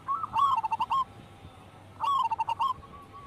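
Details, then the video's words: Singing local wild zebra dove, used as a lure and training recording: two phrases a second apart, each a quick stuttering burst of coos falling into a few evenly spaced shorter notes. "Pancingan burung perkutut lokal alam gacor"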